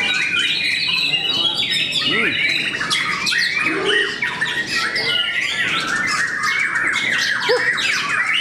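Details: Several white-rumped shamas battle in song at a contest in Cikeas, Indonesia: varied rising and falling whistles, buzzy trills and chatters overlap steadily, with some lower voices from onlookers.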